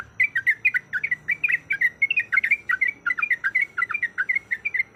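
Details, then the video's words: Yellow-vented bulbul, a female in breeding condition calling a male, in a persistent rapid 'ropelan' chatter: bubbly, warbling chirps repeated about four times a second without pause, with a faint low hum behind. "Suara Ropelan Trucuk Gacor Yang Ngotot Memanggil Lawan"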